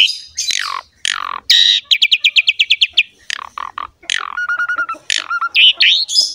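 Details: Captive Asian pied starling in gacor song meant to encourage a quiet bird: harsh downslurred notes, a steady run of repeated chips, nasal stuttered phrases and rising squeaky whistles.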